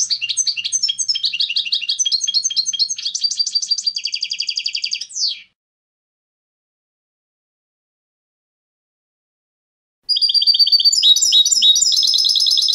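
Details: Clean competition song of a European goldfinch, used for educating young goldfinches: fast high tinkling twitters and buzzy trills for five seconds ending in a sweeping note, a silent pause, then another bright burst of rapid chattering phrases.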